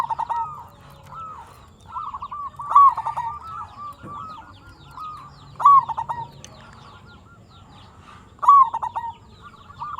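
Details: Lively local zebra dove song, played to lure other perkutut into answering: continuous soft coos punctuated about every three seconds by a loud burst of rapid stuttered notes; faint background noise throughout.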